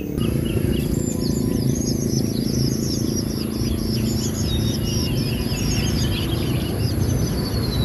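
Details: Long-tailed shrike chicks in the nest being fed by a parent in the wild: a busy run of high, thin, scratchy begging chirps over a steady loud low rumble of background noise.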